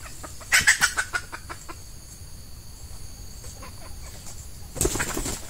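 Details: Female red junglefowl kept as a lure to attract wild males in peat scrub: a quick run of loud, harsh clucks early on, tapering into softer ticks, with a rustling burst near the end.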